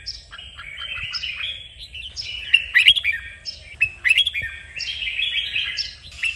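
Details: Training song of a red-whiskered bulbul meant to push birds to sing hard: repeated lively phrases of slurred whistles and sharp chips, with several distinct phrase bursts spread through the recording and near-silent gaps between.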